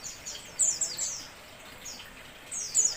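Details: White-eye sounds used as a lure for catching birds: rapid high-pitched downslurred chirps in quick clusters, then a pause before another bright burst of sharp twittering notes.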